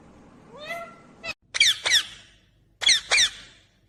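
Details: Green ringneck parakeet giving a rising whistled note followed by two pairs of sharp, high, harsh squawks about a second apart.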